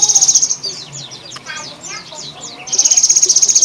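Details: A Java sparrow in the late afternoon gives its odd, fast, high, buzzy "trrrr" trill, then a run of thin, sweeping whistled notes, and finishes with the rapid trill again.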